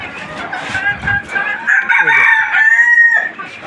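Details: On a native chicken farm, a rooster crows in a long, slightly wavering drawn-out call over continuous clucking and murmur from the flock, with faint voices in the background.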